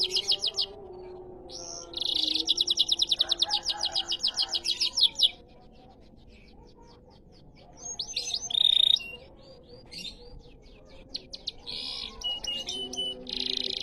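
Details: Canary singing in the riwikan style: bursts of fast, evenly spaced high trills lasting a few seconds, broken by short pauses and followed by varied chirps, sharp whistled notes and buzzy rolls. Faint low background noise.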